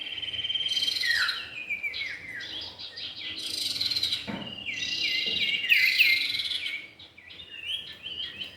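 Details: Lure recording of male and female common iora: cascades of quick descending chirps and whistles in bursts, overlapping voices, a loud bright cluster near the end before the calling thins out.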